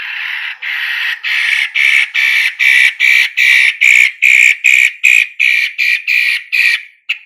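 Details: Long-tailed shrike singing steadily, used as a lure to prompt other birds to answer with loud song; harsh, scratchy broadband notes repeated about two and a half times a second, growing louder and slightly brighter through the run.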